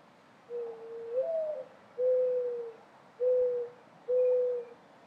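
Mourning dove cooing: a soft, hollow, upslurred opening coo, then three steady low coos about a second apart, over faint background hiss.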